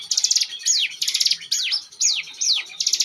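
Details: Ngebren song of a Bar-winged prinia kept as a lure bird: crisp stuttering high trills alternating with clear downward-sweeping whistles, repeated rhythmically with short breaks.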